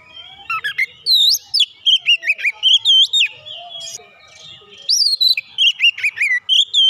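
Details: Agitated kacer, or magpie-robin, stirred up and pouring out its isian filler repertoire: about seven seconds of loud, varied whistles with steep up-and-down sweeps, short chirps and slurred notes in quick succession, briefly pausing midway.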